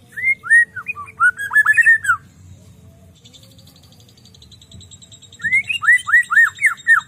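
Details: Energetic 'gacor' singing from a white-rumped shama: a rapid string of clear, arching whistles, a quiet gap with only a thin high buzz, then a fresh burst of descending slurred notes.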